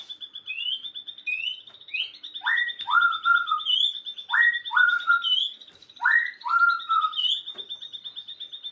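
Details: Birds singing in the afternoon: a two-part whistled phrase, a sharp downward slur then a level lower whistle, repeated about every two seconds, over a steady high pulsing trill that runs throughout.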